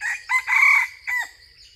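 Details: Crowing junglefowl drawn in by a decoy bird, one full crow lasting about a second and a half: brief harsh note, short pause, a sustained loud blaring phrase, then a dropping tail note. Quiet background otherwise.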